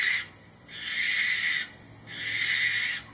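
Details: Barn owl (Tyto alba) giving two long, harsh, hissing screeches, each about a second or more, separated by a short pause, rough and noisy rather than tonal.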